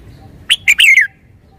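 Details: Single song burst from a red-whiskered bulbul, with distinct, clearly separated notes: an opening high note, a short second one, then a lilting descending trill. Otherwise quiet.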